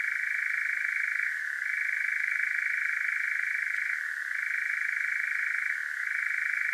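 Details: Strong, unbroken churring from a European nightjar at night, Devon, South West UK, parabolic microphone with Zoom H5; an even reeling trill with a few brief downward pitch dips.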